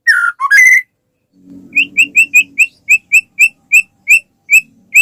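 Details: White-rumped shama sound used as a lure for other shamas to sing: a couple of rich whistles, a brief low hum, then a steady series of short, sharp, high chip-like notes about three per second.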